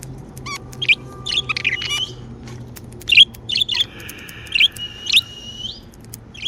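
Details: Happy pet budgerigars chirping: short buzzy warbled notes in bursts, with two long, level, whistled tones drawn out near the end and a faint low hum underneath.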